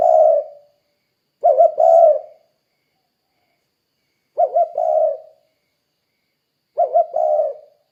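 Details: Spotted dove cooing vigorously as a lure to get other doves calling: four low, mellow phrases with a quick wavering double note and a longer hum, spaced irregularly, quiet background.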